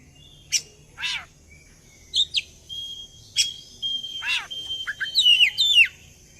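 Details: Oriental magpie-robin (kacer) lure song meant to prompt birds to sing along: scattered sharp downward-sweeping notes and short whistles, ending in a quick run of bright twisting phrases, over faint low background hum.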